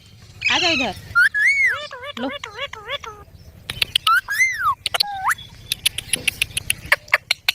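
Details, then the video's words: Green parrot chick: a harsh squeal, then clear looping whistled notes rising and falling, followed by a series of sharp ticking clicks. "Green Baby Parrot Chirping Sounds"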